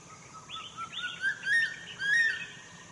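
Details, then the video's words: Crested serpent eagle calling at Zhushan on 2 March 2011: three or four loud, ringing whistles, each rising then levelling off, roughly half a second apart, over a quiet outdoor background. "大冠鷲鳴叫 Crested Serpent Eagle sounding"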